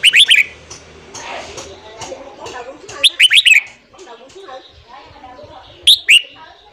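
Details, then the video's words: Red-whiskered bulbul singing in the morning, played to train newly caught birds: three short, energetic, chirpy phrases of rapid notes, about three seconds apart, with muffled murmuring in between. "luyện giọng chào mào hót sáng kích lửa cho chào mào bổi"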